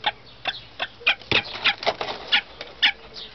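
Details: A captive nesting saker falcon pair, an old female incubating eggs while her male guards her, both aggressive toward their keeper near the clutch, gives harsh, rasping notes in a quick, uneven series, two or three a second, over a soft background hiss.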